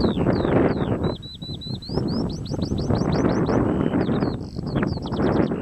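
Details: Eurasian skylark at Adderstonlee near Hawick, loud song with fast repeated upward-sweeping whistles in rhythmic runs, a short steady held note, then a burst of trills, over blustery wind noise.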